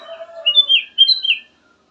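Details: Black-crested bulbul song: a run of quick, slurred whistles that rise and dip, overlapping a softer, lower tonal warble at the start.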